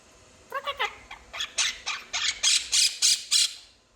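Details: A pet quaker parrot opens with a few softer gurgling notes, then gives a louder string of raspy, evenly spaced squawks, about three a second. Its owner is asking whether it will laugh.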